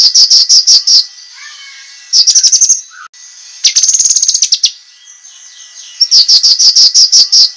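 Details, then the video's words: Master song of cucak kinoi for training contest birds, made of quick runs of piercing high notes in several bouts, with a few softer lower whistles between runs. "suara masteran cucak kinoi, masteran tajam untuk burung lomba"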